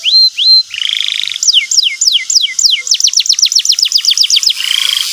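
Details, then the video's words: Lively canary song meant to prompt a young canary to learn ngeriwik: two clear whistles, a buzzy trill, then repeated high down-slurred chirps speeding into a rapid run, closing on a soft trill. "pancingan burung kenari gacor cuit cuit emosi,kenari paud belajar bunyi ngeriwik"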